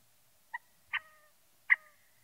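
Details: Scaled quail calling: a faint short nasal pip, then two louder nasal notes each trailing into a brief falling tail, spaced under a second apart, with nothing else audible.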